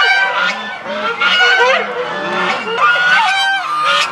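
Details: A flock of domestic Chinese geese in the goose square at Tobu Zoo, Japan, April 2021, surrounding the recorder at zero distance, honking loudly with many nasal, trumpeting calls overlapping continuously.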